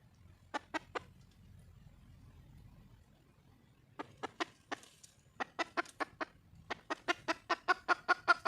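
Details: Wild Red junglefowl hen calling out for a male, giving bursts of loud, clipped clucks: three quick notes, a pause, then longer runs of regular clucks that speed up and strengthen toward the end.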